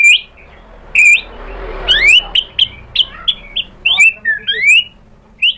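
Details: White-rumped shama, provoked into replying, sings short upswept whistles and sharp chips in quick bursts over a faint background hiss.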